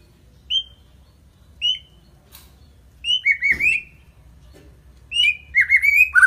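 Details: Gacor song of a white-rumped shama (murai batu): single short whistled notes spaced about a second apart, building into two quick warbling phrases, over a faint low hum and a soft rustle.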